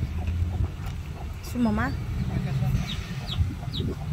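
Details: Chicks beside their mother in a farmyard: one loud, harmonic, rising-falling call, followed by a few thin, high, downslurred peeps, with low rumble and faint talking in the background.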